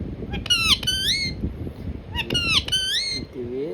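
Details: Talking parrot, tiya pakhi, kept at home while a person coaxes it with words. Clear whistled, harmonic vocal phrases in two bursts, rising and falling, with a person's voice and room noise below.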